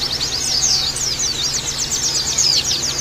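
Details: High-pitched Oriental white-eye chatter played to train and stimulate caged birds: fast, tumbling squeaky twitters run together without pause, with a constant low hum underneath.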